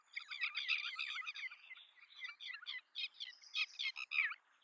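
Red-wattled lapwing giving a fast, harsh run of strident notes, then slower, sharply separated shrill calls over about four seconds; nothing else heard.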